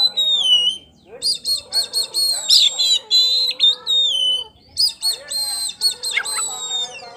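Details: Champion kacer poci, an oriental magpie-robin, singing in the loud nonstop ngeplong style used as a lure song: rich high whistles, sliding notes and buzzy trills in rapid varied phrases, with brief pauses between bursts.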